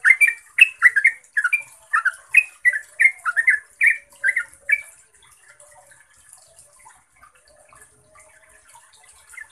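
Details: Yellow-vented bulbul lure recording, locally called trucukan, used to prompt caged bulbuls into lively song: about fourteen short, bubbly chattering notes tumble out over five seconds, then the bird falls quiet against a faint high hiss.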